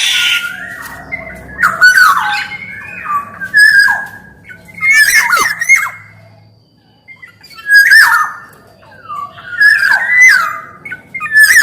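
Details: Black-naped oriole, described as male and female kepodang calling actively, used as a lure and tutor recording for other orioles: mellow fluted whistles, rising and falling, broken by harsh, buzzy squawks, in bursts every couple of seconds with short pauses.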